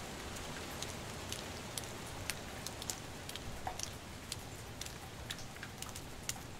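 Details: Water dripping and patters of rain fall against a steady wet hiss, and no animal calls.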